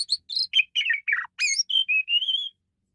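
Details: An Asian pied starling, kept for tutoring other songbirds, gives a quick chain of chirps and rasping notes, then a series of clear, level, sustained whistles.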